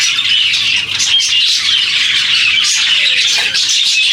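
Many budgerigars chatter at once in a steady, high, scratchy warble.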